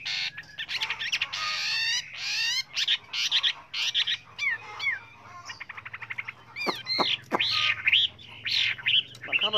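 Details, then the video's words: Chinese hwamei singing a varied many-voiced song, for training other hwameis: harsh, dense buzzy phrases and fast trills alternate with sharp downslurred whistles and looping notes, uneven in rhythm. "Luyện chú chim họa mi hót hay"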